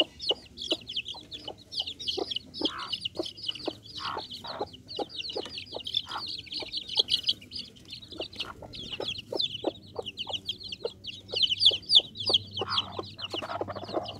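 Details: Bangkok chicken chicks keep up a busy, fairly irregular stream of thin high cheeps, many birds calling over one another, while crisp clicking taps sound steadily beneath and a soft background hum runs throughout.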